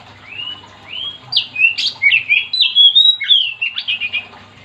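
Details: Magpie-robin 'gacor' song meant to set other magpie-robins off: rising slurred whistles open the phrase, followed by a dense jumble of bright, fast-changing whistled and squeaky notes, ending in short repeated chips.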